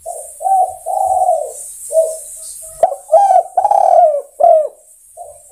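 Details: Spotted dove calling to draw other doves, giving a series of low, hollow coos, a few short notes followed by a louder, longer run of three rolling coos with brief gaps between them.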